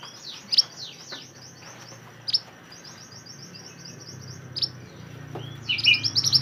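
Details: Lively mountain mantenan singing for songbird training: a series of quick high chirping notes, brief pauses punctuated by sharp clicks, ending in a louder burst of fast chirps and warbled trills.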